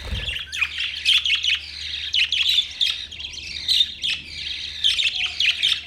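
Budgerigars chatter in a continuous stream of high, scratchy chirps and warbles, several birds overlapping in quick bursts, with a low steady hum underneath.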